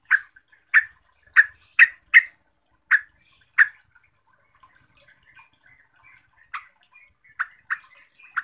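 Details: Yellow-vented bulbul singing in a way said to provoke other bulbuls into agitated, loud singing. Sharp, bubbly notes come in a quick run, then a quieter pause, then more scattered notes, with a faint steady high hiss throughout.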